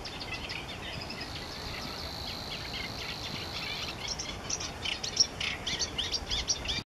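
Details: A River Warbler at Głębokie, Poland, on 1 July 2015 gives a dry, rhythmic, insect-like reeling that pulses steadily like a sewing machine, high-pitched and unbroken, with a few faint chirps in the background.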